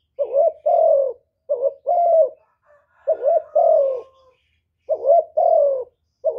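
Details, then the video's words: Spotted dove used as a decoy, cooing in a contest with a wild bird: paired mellow coos, a brief hooked note followed by a drawn-out falling one, given in four bursts with short silent gaps and a faint background squeak. "Tiếng cu mồi lỡ gù đấu bổi"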